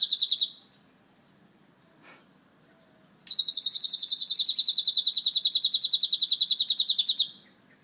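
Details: Ngekek chattering from a lovebird with a cililin-style fill-in: a brief high buzzy burst, nearly three seconds of quiet with one faint click, then a long rapid trill of shrill pulses lasting about four seconds before stopping.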